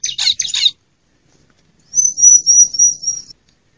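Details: Female bar-winged prinia, a call used to lure wild prinias and wake silent ones: three quick harsh rasping notes, a pause, then a smooth run of seven thin, high, even notes.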